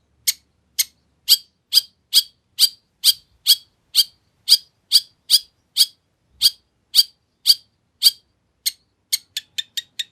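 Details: Long-tailed shrike recording played to lure other shrikes into answering: a long regular series of dry harsh clicks about twice a second, speeding into a quick close-spaced burst at the end.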